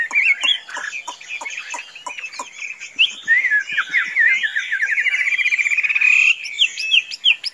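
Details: Tame Chinese hwamei, kept and said to be free-roaming without flying off, sings a varied run of slurred whistles that breaks into a rapid even trill midway, with sharp clicking taps in the background.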